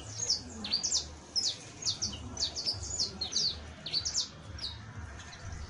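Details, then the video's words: Saffron finch (Sicalis flaveola) singing, its song offered as a tutor for canaries: a lively run of high, sharp chirps and short slurred notes in quick, uneven clusters, with a low background rumble throughout. "EL CANTO DE ESTA AVE VA A SERVIR PARA AYUDAR A TU CANARIO BASTO CRIOLLO [Sicalis Flaveola]"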